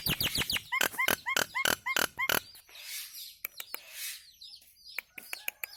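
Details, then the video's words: Nias hill myna song used for training cage birds: a rapid string of about a dozen sharp clicking whistled notes, a hoarse rushing burst, then scattered high chirps. "Masteran Burung Jalak Nias istimewa"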